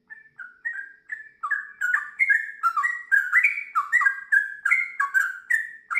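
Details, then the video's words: Sooty-headed bulbul singing gacor: a few separate clear whistles open, then the phrases crowd together into a fast, fluty, rolling ropel of warbled notes. "TRUCUKAN GACOR ngiwir lanjut ROPEL PANJANG"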